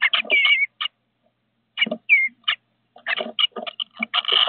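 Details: Two bluebird nestlings, five days old, at Decatur on 29 May 2021: quick bursts of harsh, scratchy chattering notes mixed with short descending whistles, pausing briefly before a denser run of overlapping calls.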